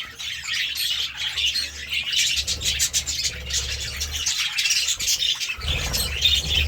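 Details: Budgies pecking at seeds and vegetables keep up a constant high twittering and squawky warble, with a low hum swelling in the background.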